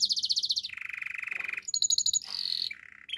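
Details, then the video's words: Singing canary: a rapid high pulsed trill drops into a lower rolling trill, followed by tinkling high notes, a steady mid-pitched roll and a brief lower phrase. "Master canary singing make your canary will sing everytime"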